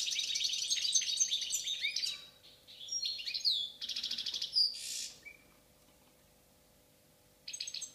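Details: Goldfinch of the Balkan subspecies Carduelis balcanica singing a dense run of high tinkling twitters, then buzzy rattles and a downslurred note, followed by silence and a final short burst.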